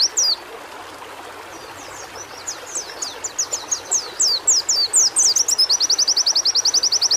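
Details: White-eye song as stimulation audio: quiet hiss at first, then faint high downslurred whistles building louder into a fast, regular, very high-pitched chattering trill.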